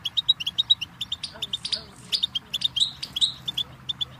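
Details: Goldfinch singing on a tape for tutoring chicks and songbirds: quick, evenly repeated high chips and twitters, several per second, with a few slurred buzzy notes in the middle and low background murmur.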